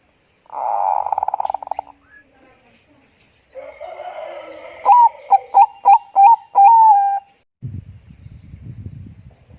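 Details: Zebra dove of Bangkok type singing as a lure: a harsh buzzy rattle opens, then a murmur, then a series of loud clipped ringing coos closing in a drawn-out note; low rustling noise follows.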